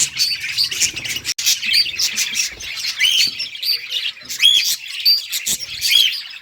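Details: Budgies chirping in a cheerful flock: busy high warbling chatter with bright short whistles, some rising, some falling, repeated at uneven intervals over steady scratchy twittering.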